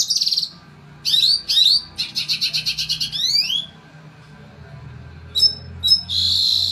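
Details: Red siskin, an imported bird valued as a tutor for its long, fairly loud roll, singing a rapid, high twittering song of buzzy trills, quick repeated notes and upslurred whistles, with brief pauses between phrases.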